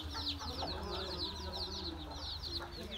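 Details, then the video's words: Baby chicks with their mother hen, 13 January 2017: rapid, overlapping high peeps and cheeps fill the recording, while the hen adds quiet, low clucking murmurs beneath a steady low hum. "Hen with her Baby Chicks."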